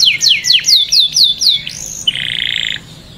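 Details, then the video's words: A canary sings for mating: seven crisp downward-sweeping whistles repeated at a steady pace, followed by a dry, buzzing trill. "تغريد كناري ممتع Tweeting a fun canary"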